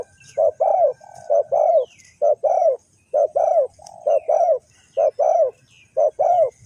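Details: Spotted dove in Ninh Thuận, Vietnam, kept as a lure for trapping wild doves, repeats a rhythmic coo phrase of a short note followed by a fuller double coo, roughly every second, with faint chirps behind.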